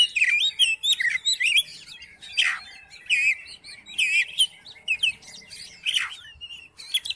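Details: Provoking song of an Oriental magpie-robin for a magpie-robin that will not sing: a lively stream of twisting whistles, trills and harsh downward sweeps, delivered in quick bursts roughly once a second.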